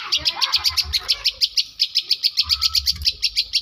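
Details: Long-tailed shrike, South Malang, Indonesia, imitating lovebird and canary: a long run of high, clipped notes repeated about six times per second in a steady, regular rhythm.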